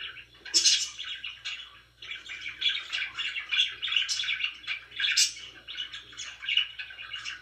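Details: Several pet budgies chatter in a room, a continuous rush of twittering, scratchy warbles and occasional sharp high squeaks, low hum faintly beneath.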